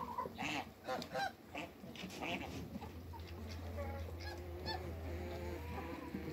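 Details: Cayuga-Mallard hybrid duck in a backyard waterbird enclosure giving harsh, nasal quacks and honks in quick bursts, with other waterfowl calling and a low steady hum behind.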